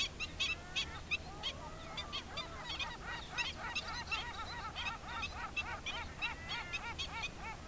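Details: Black-winged stilt adult with its chicks: a dense run of clipped nasal kek notes mixed with thin rising and falling whistled peeps, the calling near-continuous throughout, faint low background hum.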